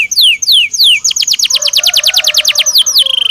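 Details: Belgian canary song: several loud descending whistles, then a fast series of slurred notes at about six a second, closing with descending slides and a brief trill.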